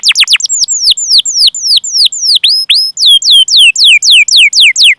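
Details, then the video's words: Chirping canary song used to entice young or quiet canaries into singing: a steady train of hooked, falling whistles about four per second, with a few faster double notes at the start. "Masteran Suara Burung Kenari Gacor Panjang cuit cuit Ngerol untuk Pancingan Kenari!"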